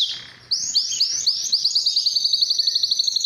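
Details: Canary singing to attract females for mating; after a faint start, loud upswept whistled notes accelerate into a quick, even trill of repeated high syllables.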